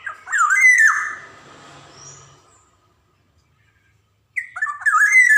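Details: Black-naped oriole, a Javan golden oriole in full lively song with varied rhythm, used as a lure recording to get young orioles singing: a loud fluty, slurred phrase with harsh overtones, a fading tail, silence, then a second phrase.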